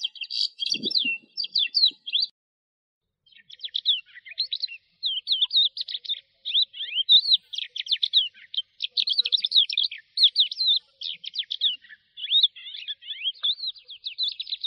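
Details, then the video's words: Long lark song of crisp, high chirps and short slurred notes delivered in quick bursts, after a brief low thud near the start and one short pause. "تغريد طائر قبرة الحقول(القوبع) Chant de Alouette des champs"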